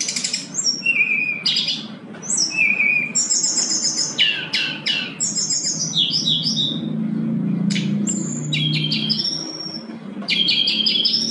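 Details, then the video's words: Brown-chested jungle flycatcher in full, lively song: a near-continuous string of high, varied whistles, trills and quick slurred notes over a low steady hum, meant as a master song to prompt silent birds to sing. "SRDC GACOR SANGAT COCOK UNTUK PANCINGAN SRDC MALAS BUNYI"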